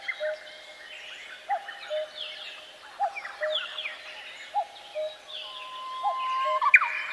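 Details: Birds singing in a forest. A low, short note repeats every second or so beneath higher sliding whistles and twitters from other birds. A brief loud squeaky phrase comes near the close.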